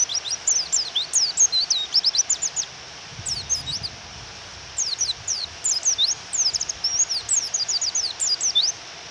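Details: Female Japanese white-eye calling to provoke the male to sing, rain falling: quick series of high, thin downslurred chirps in dense bursts, a pause near three seconds, then more rapid chirping over steady rain hiss.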